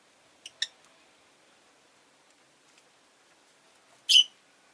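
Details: Rosy-faced lovebird: two short sharp ticks, a long quiet gap with faint clicks, then one loud harsh high chirp.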